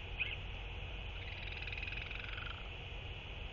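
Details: A 32-day-old Northern royal albatross chick on its nest in the rain gives its first-ever skycall after normal chick calls, a soft, rapid, higher-pitched trill sliding gently downward over about a second, over a steady low rumble of wind.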